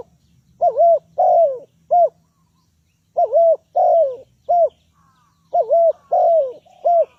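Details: Spotted dove cooing as a trapping lure: soft, hollow three-note phrases, a short note, a longer drawn-out one, then a clipped final coo, repeated about every two and a half seconds, with quiet gaps between and a faint low hum.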